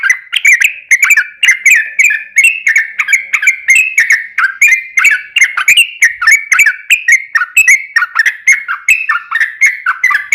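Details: Sooty-headed bulbul in a long, rapid rolling song used as a lure to make other bulbuls sing: dense run of short whistled notes with rising and falling ripples, repeated several times a second without pause.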